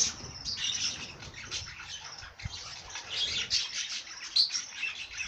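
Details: Continuous high twittering and chirping from songbirds, a dense unbroken chatter with one brief low thump midway.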